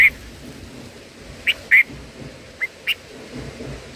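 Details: Short, sharp high chirps from black-headed bulbul babies in the nest while the mother brings food, spaced irregularly, a couple close together, over quiet steady background hiss.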